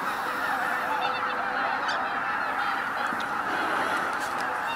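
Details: Wintering waterfowl massed at Izu-Numa, Miyagi, Japan, on Christmas morning; a dense blend of honking calls, with one long, level nasal note clearly heard early on and a few sharp yelps later.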